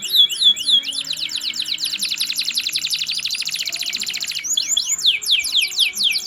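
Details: Canary song with a long rapid rolling trill of evenly repeated notes, opened and closed by looping swooping phrases, high and piercing; faint low hum underneath.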